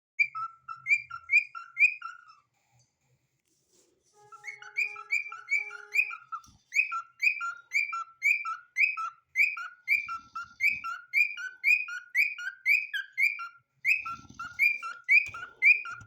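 A cockatiel gives a quick series of clear, bright whistled notes, about two each second.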